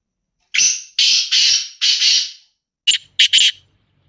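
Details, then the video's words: Black francolin with a grating phrase of four rasping notes, followed after a brief pause by three quick, clipped harsh notes; a faint low hum sits underneath at the end. "KALA TEETAR KE AWAZ"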